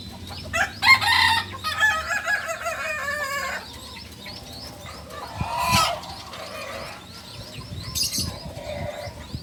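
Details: Young beginner Balenggek cock from Solok, West Sumatra, crowing in broken, harmonic-rich syllables over the first three and a half seconds, followed by quieter knocks, rustling and faint chirping of small birds.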